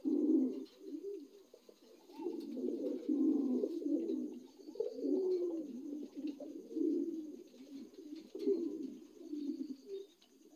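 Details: Steady rolling coos from newly adult Lahore pigeons in a small room, several birds overlapping in a continuous low murmur broken by brief louder swells.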